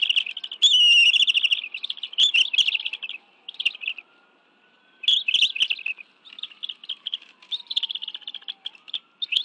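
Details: Bald eagles at their nest in the National Arboretum, Washington, D.C., 11 June 2017, 2:23 PM, as both adults bring fish for a meal with two eaglets: bursts of high, rapid chattering chirps with a pause mid-clip, and a faint wavering siren behind.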